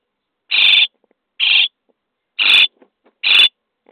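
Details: Common starling nestlings in a nest box on day 23, begging while being fed: harsh, buzzy rasping calls, each about a third of a second, four in a row at roughly one-second intervals.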